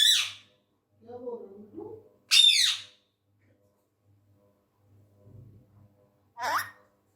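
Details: Angry tame male Indian ringneck parrot indoors: three sharp, piercing screeches spaced a few seconds apart, with soft low mumbling between them.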